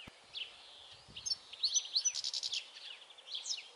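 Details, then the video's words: European goldfinch singing on 22 May 2021, quick tinkling twitters and a short buzzy trill mixed with sliding chirps, fairly distant against steady outdoor background noise. "Stieglitz Distelfink"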